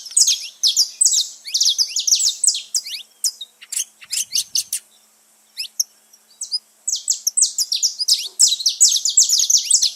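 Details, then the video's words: Several free saffron finches singing: fast overlapping high chirps and buzzy trills, a pause of nearly two seconds in the middle, then the busy chorus returns. "festa dos canário da terra livre na natureza"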